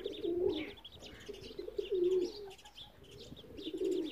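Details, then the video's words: Muscovy duck in Multan, Pakistan giving soft, low, wavering coos about every two seconds, with faint high chirps from other birds behind. "Muscovy duck"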